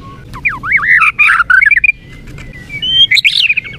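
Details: White-rumped shama (murai batu), kept for its melodious song: zigzagging whistled notes rising and falling quickly, then a thin sustained whistle and a short warbled phrase.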